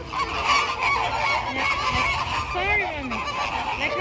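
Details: Flamingo flock keeping up a steady mass of goose-like honks and nasal calls, with a human voice and a rising squeal among them.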